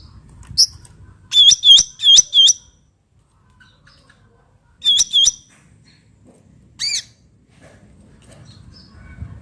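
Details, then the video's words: Black-headed bulbul in the wild: bursts of three or four sharp, hooked whistled notes, then a pause, a pair of notes, and a lone high buzzy note, over a quiet background. "cucak ranting suara alam"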